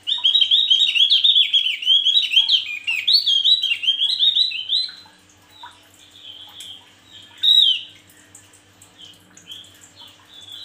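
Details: Male Javan grey-throated white-eye singing vigorously: rapid, dense warbling of high twittering notes for about five seconds, then scattered softer chirps and a single loud burst near the end, with a faint steady low hum behind.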